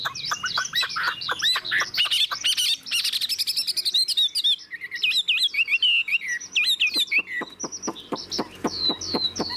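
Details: Chinese hwamei in a cage, a forest-caught bird almost fully tamed and known for tail-fanning wing displays; dense tumbling whistles and trills, then sharp separate chip notes repeated quickly toward the end.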